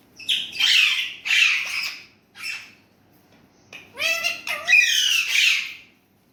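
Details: Indian ringneck parrot talking in Urdu/Hindi: three raspy syllables, a short quieter one, then a pause before a rising grumbled note leads into a long, loud grating phrase.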